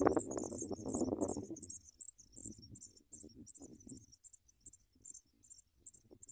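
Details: Sprague's pipit chicks fed worms by a parent: a continuous stream of very high, thin chittering squeaks over loud rustling at first, with the rustling fading to soft scrapes.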